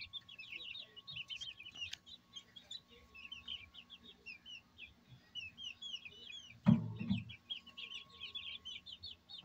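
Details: Brahma hens raised on a farm in Barreal de Heredia, Costa Rica, give a steady stream of high, thin, repeated peeps, quick and uneven, broken by a single low heavy thump partway through; faint rumble beneath.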